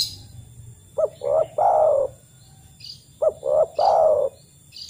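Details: Spotted dove calling, used to make other doves start singing: two matching phrases, each a short note, a brief coo and a long falling coo, about two seconds apart, with faint high bird chirps in the gaps.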